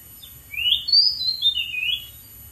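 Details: A wild Oriental magpie-robin singing from atop a dead tree gives a brief run of clear, sliding whistles, rising then falling, over about one and a half seconds, against a quiet background.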